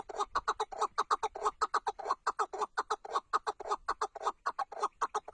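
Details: Chukar partridge giving a long fast run of hoarse, clipped chuck notes, regular and unbroken, each note sharp-edged with a rough tone.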